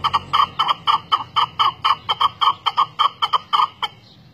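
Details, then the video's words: Chukar partridge (Alectoris chukar) call: a fast run of harsh, clucking chuk notes, about four a second and slightly uneven, stopping after nearly four seconds. "Perdiz Reclamo"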